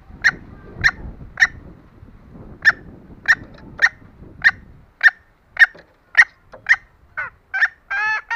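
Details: Calling female green junglefowl, a sound meant to lure lazy males: short, sharp clucks repeated roughly every half second over low rumbling background noise, ending in a few longer, tonal, harmonic notes.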